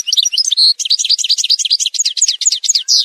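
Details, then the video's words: Algerian goldfinch song, montage recording: unbroken high twittering over three seconds, an early buzzy note, then a run of regularly repeated sharp downward slurred notes. "تسجيلة مونتاج روعة الكل يلقم العام هذا | chant chardonneret montage"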